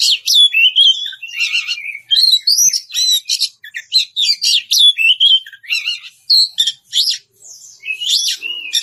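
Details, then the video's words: Challenging ngeplong song of an Oriental magpie-robin calling an opponent: energetic, varied whistled phrases and sharp chips, delivered in quick bursts over nearly nine seconds, slightly softer near the end. "suara kacer ngeplong memanggil lawan"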